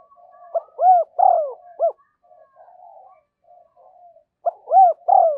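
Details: A decoy spotted dove repeats a mellow, arched, four-note coo to lure wild doves. Between the phrases comes a low continuous murmuring, and the phrase starts again after about four seconds.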